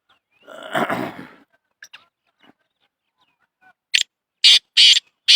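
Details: Black francolin (Francolinus francolinus) calling: after an earlier noisy burst and a few faint clicks, it gives a harsh, grating series of four loud rasping notes.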